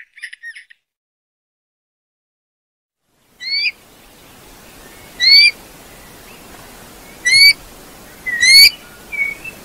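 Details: Eurasian bullfinch giving sharp, clear upslurred whistles with strong overtones, four spaced one to two seconds apart, over a steady hiss, after a faint opening twitter and a pause.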